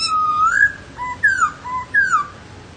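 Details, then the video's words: Laughingthrush song: three slurred, whistled phrases, each rising then falling, with short lower whistled notes between them and a quiet background. "HÓT NHƯ KHƯỚU"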